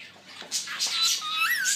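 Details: Indian ringneck parakeet talking indoors: raspy, breathy word-like sounds run together, ending in a clear whistled tone that rises and then slides down.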